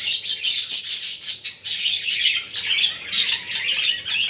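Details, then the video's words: A dense, unbroken budgerigar warble, used to stimulate budgies: fast, high twittering and squeaks layered together with little pause. "اصوات طيور الحب البادجي للتحفيز"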